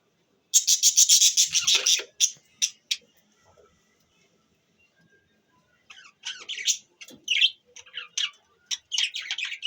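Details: Budgerigars chirping on 25 December 2023: a fast run of bright, chattering chirps, then a quiet pause, then scattered squeaky warbled notes.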